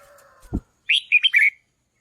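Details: Red-whiskered bulbul, sung to stimulate decoy birds: after a faint hum and a soft thud, a single half-second burst of lively, gurgling whistled notes.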